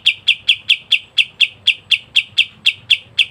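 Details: Kapas tembak white-eye delivering continuous ngebren song, a tight, regular volley of around fifteen clipped high chirps spaced evenly, with no other sounds.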